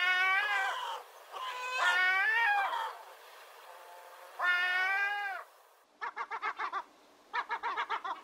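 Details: Long, drawn-out, wailing gull mews, each lasting about a second. These are followed by fast bursts of short, clipped notes in quick series.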